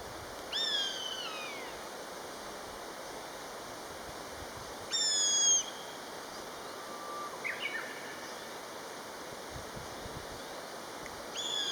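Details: Common buzzard pair calling to each other: a descending whistled cry, a second louder one about four seconds later, then a short low note and another cry beginning at the end, amid steady hiss.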